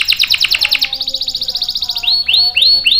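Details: Lively canary singing as a tutor for young and stalled birds: quick high rolling notes, then an even buzzy trill, ending in a few loud, drawn-out rising whistles.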